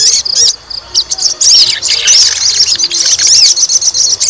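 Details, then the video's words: Brief stretch of a provoked fighter white-rumped shama giving rapid high chatter and bright whistled slurs, nearly continuous after a short opening gap. "PANCING EMOSI TES MENTAL FIGHTER SOGON"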